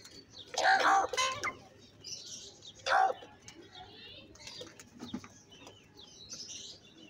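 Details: Crow at feeding time calling in a loud burst of two or three raspy caws, then another single caw after a short gap, with soft chirps and rustling nearby.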